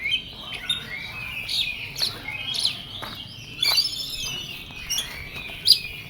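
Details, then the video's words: Agitated Oriental magpie-robin singing a busy run of high chirps and whistled phrases. Short sharp notes are set about half a second apart over a quiet background hum. "KACER EMOSI KONSLET"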